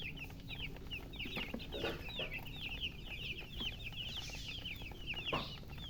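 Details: Poultry chicks thirsty for drinking water give rapid, repeated high peeps, each a brief falling whistle, overlapping from many birds; occasional soft knocks and a steady low hum underneath.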